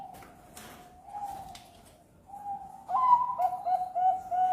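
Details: Bangkok zebra dove singing a lure song to encourage other birds: a low drawn-out coo, then louder rapid rolling notes toward the end, over a steady background hiss.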